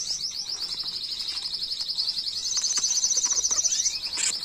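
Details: Tutor song from a canary, recorded in 2022 to teach young birds without mistakes. A very high, fast, buzzy roll runs unbroken through the whole passage, growing slightly louder toward the end.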